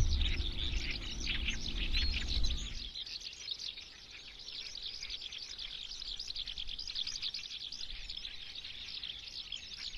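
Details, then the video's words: Eurasian skylark in sustained song, a rapid unbroken chain of high trills and chirps, with low rumbling noise during the first few seconds that then clears. "Eurasian skylark song"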